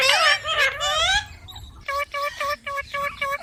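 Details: Ringneck parrot first giving a drawn-out, wailing speech-like phrase, then a string of about six short, even, evenly spaced syllables repeated in quick succession.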